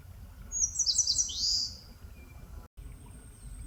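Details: A single clear song phrase from an Eastern crowned warbler in Palbongsan forest, Seosan, Korea: several quick, high stuttered notes running into a longer slurred buzzy note that drops at the end, over low background rumble.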